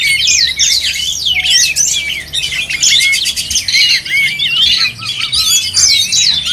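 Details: At a songbird contest, oriental magpie-robins pour out loud, overlapping song: quick whistled slurs, rising and falling sweeps and buzzy rattling bursts packed tightly together with hardly a pause.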